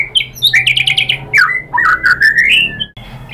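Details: White-rumped shama singing as a lure meant to provoke rival birds into answering: loud, clear whistles and quick chirping bursts, followed by a rising series of slurred fluty notes and a brief pause.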